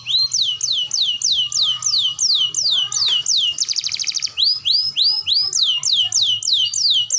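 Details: Canary song meant for training young birds: a steady series of loud descending whistled notes about three per second, broken by a short fast buzzy roll, then the falling whistles resume.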